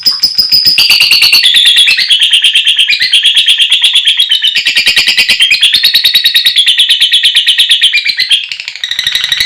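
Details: Lovebird in full gacor ngekek, long chattering song used to make male and female lovebirds sing: continuous fast buzzy rattle of rapid notes, shifting pitch in steps, unbroken for over nine seconds.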